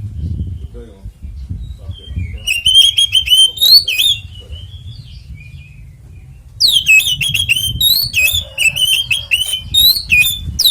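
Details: Oriental magpie-robin giving a fighting song meant to trigger singing in other magpie-robins: an initial rapid whistled run, a quieter gap, then a longer loud sequence of sharp repeated whistles over low background noise.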